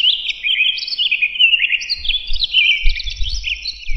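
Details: Townsend's solitaire pouring out a continuous, rich warbling song, the whistled notes overlapping and sliding up and down without a break, with low background rumble in the second half.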